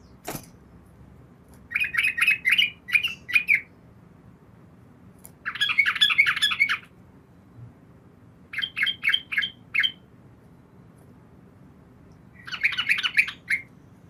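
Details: Yellow-vented bulbul, a female calling the male at night, in four bursts of rapid chattering, bubbling notes separated by pauses of a few seconds, with a steady background hiss and a sharp click at the start.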